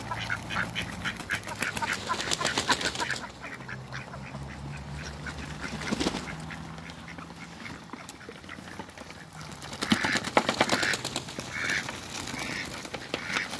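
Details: Two Muscovy ducks play with water in a backyard. Early on, busy splashing and clicking dominate. Near the end, a few brief, soft calls rise above a low steady hum.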